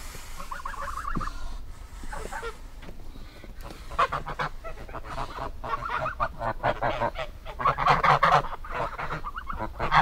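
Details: Geese honking in bursts of nasal, harmonic calls, scattered at first and then crowding together into a dense, overlapping chorus in the second half, over a low background rumble.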